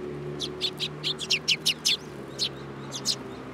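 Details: Sparrows climbing onto a person's hand at Tenmangu shrine on 8 July 2022 give a rapid string of about eight high chirps, then a few more after a short pause, over a faint low hum.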